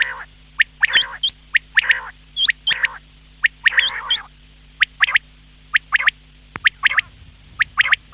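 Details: Quail calling steadily, with hooked whistled notes sweeping up high, short sharp clicks and grating buzzy phrases repeated about once a second, and a constant low hum behind.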